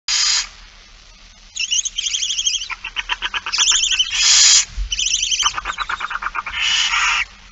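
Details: Barn owl begging during feeding on 8 September 2019 at 16:02: harsh broadband hissing bursts alternating with rapid, stuttering chittering pulses repeated in quick series, with quiet pauses between.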